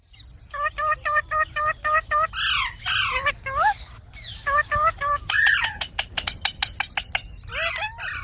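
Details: Parrot giving a rapid series of short, harmonic, nasal calls, each dipping then rising, followed by harsher squawks and a burst of sharp, clicking pulses near the end, with a low background rumble.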